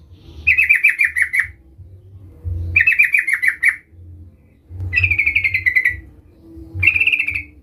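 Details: Calling sooty-headed bulbul, aimed at attracting a rival: four separate bursts of quick, bright, stuttering notes, the later ones steadier and more whistled, with a soft low rumble between them.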